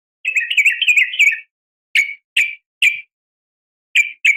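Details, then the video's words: Female sooty-headed bulbul calling males in the morning: a rapid chattering burst of bright notes lasting over a second, followed by five short, clipped chirps spaced about half a second apart. "suara panggilan pagi bikin emosi , semua burung trucuk terpancing ikut bunyi gacor dan ropel panjang"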